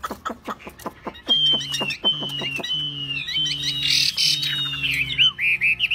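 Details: Caged Chinese hwamei, tame enough to sing wherever it is put, opens with a string of sharp repeated chips, then glides into long clear whistled notes and looping high phrases, with a low hum and a brief hiss behind.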